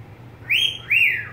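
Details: A pet budgerigar gives one brief pair of whistled notes, each climbing then gliding lower, over a low hum.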